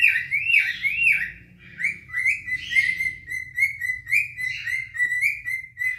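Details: Two adult cinnamon cockatiels singing to each other in courtship to attract a mate; warbling whistled phrases wavering and sliding around a steady pitch, with rising and falling loops and short chirps, plus a faint low hum in the room.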